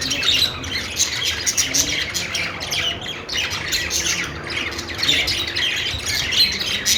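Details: Perched budgerigars making a happy sound, continuous raspy chatter with squawks and squeaky chirps, fairly even in loudness with a few louder peaks.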